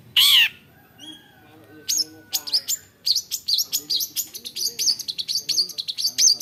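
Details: Long-tailed shrike, a bird able to imitate many other species, opening with one loud harsh rasp, then after a pause launching into a fast chatter of high chirps, twitters and whistles.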